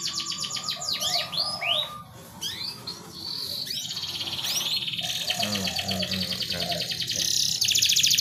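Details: Canary song played to spur a reluctant bird to breed: bursts of quick sweeping notes and buzzy trills at shifting loudness, with low warbling and background hum between phrases.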